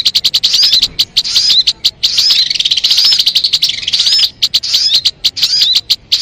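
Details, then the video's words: Sogon song used as a lure for trapping birds: loud, continuous high chattering with rapid sharp notes and quick upswept whistles, broken by short gaps. "MP3 suara burung sogon..!!! Mikat burung anti gagal"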